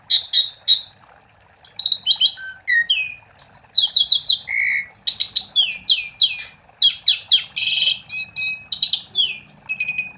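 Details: Asian pied starling in continuous song, aimed at prompting other starlings: quick bursts of whistles, descending slurs and rasping notes, delivered in dense phrases separated by brief pauses over about ten seconds.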